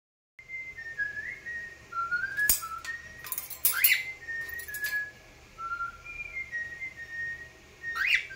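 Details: Excited cockatiel reacting to a companion's singing indoors, with varied whistled phrases of level and upward-sliding notes, some short rising sweeps, and several sharp clicks and knocks between phrases.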